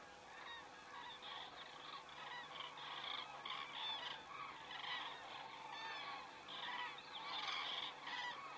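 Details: Flock of common cranes passing overhead in Estonia, recorded by a crane camera on the evening of 27 September 2017 at 19:26; many bugling calls overlap in a busy, swelling chorus that grows louder toward the end.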